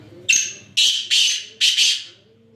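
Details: Black francolin (kala teetar) in Sindh, Pakistan, calling loudly: a short opening note followed by three harsh, grating, buzzy phrases in quick succession over a faint low hum.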